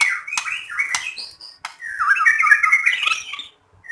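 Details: White-rumped shama song meant to prompt other shamas to sing: slurred whistles and taps, then a dense, tumbling warble of chattering notes lasting over a second.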